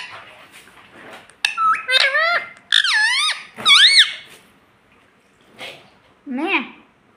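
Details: Pet rose-ringed parakeet that talks, reportedly saying "mummy", utters several loud, wavering, voice-like syllables in a cluster, then goes quiet before one last falling, bubbling phrase.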